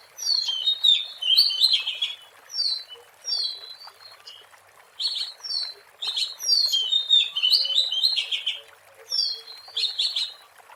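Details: Wild Oriental magpie-robin in full song, recorded for use as a lure: bursts of sweet whistled and chattering phrases, several notes each, separated by short gaps of about a second, with faint background hiss.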